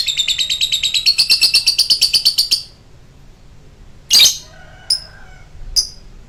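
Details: A lovebird rattles off rapid high, buzzy chirps for nearly three seconds in a long choking song, then falls quiet apart from one harsh squawk and two faint short notes.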